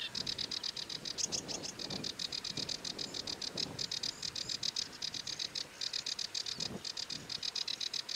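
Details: Sedge warbler delivering a sustained, rapid rattling churr of dry pulsed clicks, broken by brief pauses and occasional higher squeaky notes, over low background rumble.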